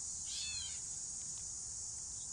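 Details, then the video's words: Gray Catbird in northern Illinois in late summer, near Hickory Knolls, gives its namesake call: one nasal, slurred, cat-like mew lasting about half a second, over a steady high-pitched insect drone. "that is the sound of the cat bird"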